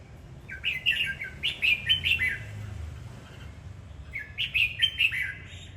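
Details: Red-whiskered bulbul singing and dancing, giving two bubbly phrases of rapid whistled notes, each about a second long and separated by a short quiet gap.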